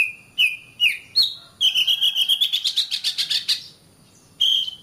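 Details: Oriental magpie-robin (kacer) masteran song for caged birds: three slurred whistles, a rapid rattling string of pulsed notes climbing slightly in pitch, silence, then one sustained flat whistle.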